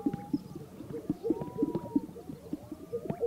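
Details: On a remote historical lek in North Park, Colorado sagebrush, greater sage-grouse courting in the morning; rhythmic wet popping notes roughly every third of a second, overlapping from more than one bird, a soft drawn-out whistle in the background.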